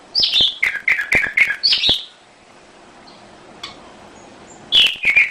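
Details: Domestic canary singing as a lure to trigger other canaries: a run of short warbled chirps repeated rapidly, a quiet pause, then more chirping notes.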